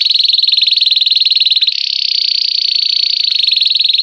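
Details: Pure campainha song of a Belgian canary: a fast rattling high trill turns into a smoother, slightly higher buzz at 1.7 seconds, then returns to rattling.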